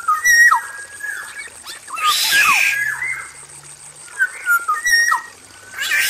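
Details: Male black-naped oriole in an aviary: clear whistled phrases and downward slurs, a loud burst of harsh noisy squawking in the middle, then more fluted notes, over a faint constant high tone.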